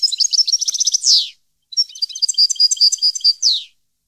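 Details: Two European goldfinch song phrases recorded in 2015, each a quick cascade of high, tinkling twitters and trills ending in a rasping, descending buzz, separated by a brief pause.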